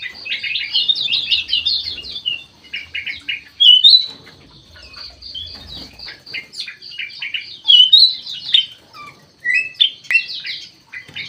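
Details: Kutilang emas mata putih, a golden-fronted leafbird, in an aviary, delivering busy chattering bursts of quick high notes, then scattered sharper whistled phrases with gaps between them; faint low hum and wing flutters in the background.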